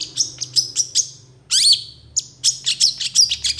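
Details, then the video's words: Eager long-tailed shrike, excited by other shrikes, singing a varied master song: a quick run of sharp chips, one loud harsh downslurred screech, then more rapid piping and chattering notes. "PENTET GACOR EMOSI CEPAT DI RESPON CENDET LAIN, MASTERAN CENDET FULL ISIAN"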